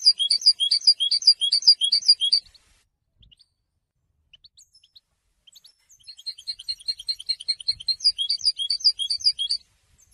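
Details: Goldfinch song for training young goldfinches to sing, said to announce presence and attract females: two loud bursts of fast, bright, liquid twittering, about two seconds of chattering notes, a pause, then a longer four-second burst.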